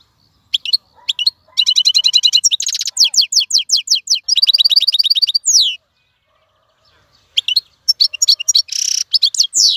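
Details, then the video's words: Clean-voiced song of a wild-caught European goldfinch in a cage, delivered without stopping: dense stretches of fast twittering, metallic buzzy trills and quick repeated notes, a short pause, then more bright chirps and a rasping burst. "مقنين خلوي يغرد بصوته النظيف, تغريد حسون بري دون توقف"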